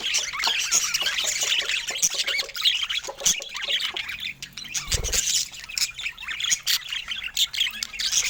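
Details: Flock of pet budgerigars showing various colour mutations chatters steadily with overlapping chirps and harsh squawks; a single dull low thump sounds about two-thirds of the way through.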